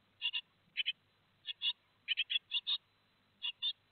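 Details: Two days before fledging, great tit young at Théding call on 15 July 2020 with harsh double chirps, paired notes repeated roughly every half second, some grouped in threes.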